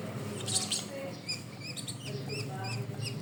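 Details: Pet bird chirping: short, high, slightly rising chirps given in quick irregular bursts over a steady low droning background.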